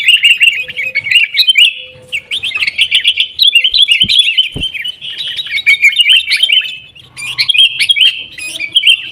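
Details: Sooty-headed bulbul, loud fighting-style chatter meant as a singing lure for caged birds; an almost unbroken flow of fast, jumbled warbling notes, with two sharp clicks near 4 seconds.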